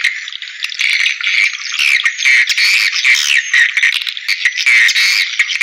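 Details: Swiftlet calls played back to lure swiftlets into bird houses: a dense, continuous chorus of high, overlapping chirps and twitters, with nothing in the low range.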